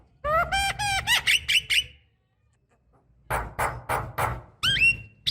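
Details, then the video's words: Female Javan myna calling a male, played to spur singing: a ladder of clear rising whistled notes, a silent gap, then rough scratchy bursts and a final upswept whistle. "jalak kebo muda malas bunyi COBA pancing dengan ini"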